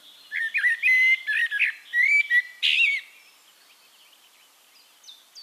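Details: Singing Eurasian blackbird recorded in Castricum, Netherlands: a long mellow warbled phrase of clear fluted whistles and slurs ending in a buzzy squeak, then near quiet with faint distant bird notes.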